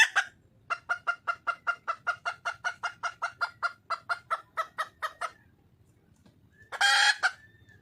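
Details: A red junglefowl hen, a wild bird, calls to attract a male. Around twenty evenly spaced, clipped clucks are followed by a pause, then one rough, raspy squawk.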